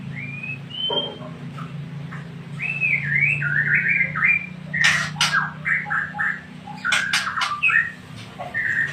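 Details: Varied song of a white-rumped shama from Tangse, Aceh: wavering whistled phrases at shifting pitches mixed with sharp harsh bursts and clicks, delivered in irregular short bouts.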